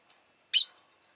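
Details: One sharp, high, rasping chirp from a rosy-faced lovebird kept as a pet, preceded by a faint tick.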